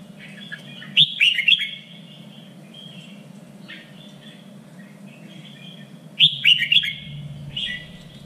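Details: Red-whiskered bulbul three-region standard song, used to train birds for singing contests: two rapid chattering bursts of sharp notes about five seconds apart, joined by softer whistled phrases against a low hum.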